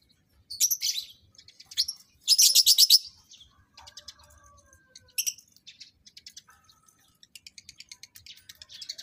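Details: Lovebirds being paired for mating give bursts of shrill, high chattering chirps, with a loud rapid run near the start and softer scattered clicks and faint whistles between them.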